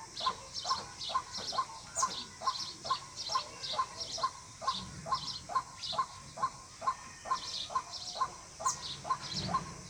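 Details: Steady, repetitive mid-pitched notes of a white-breasted waterhen, around two each second, a call used to draw birds in for hunting, backed by frequent high chirps from other birds.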